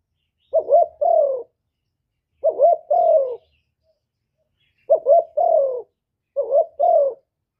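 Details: Spotted dove giving its hạp bổi-style song, a full set of calls, urging and coos recorded live in quiet: four evenly spaced phrases, each a short bouncing note then a smooth, slightly falling low coo, separated by pauses.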